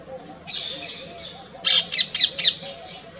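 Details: Asian koel in Jaipur, Rajasthan, India, during courtship: a run of harsh, high, scratchy notes, five loud bursts in quick succession after a quieter rasp, with steady background noise.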